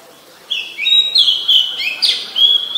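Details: Oriental magpie-robin, a very common resident, singing in Ubon Ratchathani, Thailand, on 17 November 2021: clear, loud whistled phrases sliding between high notes, with sweeping slurs and a bright upward flourish over a quiet background.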